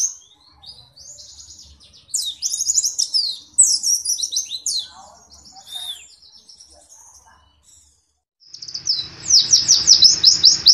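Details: White-eye (pleci), a small songbird kept and contested in Indonesia, singing in ngalas ngeroll style. Varied high buzzy trills and jumbled twitters come in bursts with quiet gaps, ending in a loud, rapid, rattling run of high notes.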